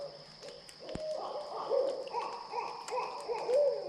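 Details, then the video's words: In a Florida swamp, a barred owl gives a run of low, wavering hoots with slurred rising and falling inflections, over a faint steady high-pitched hum. "Barred owl"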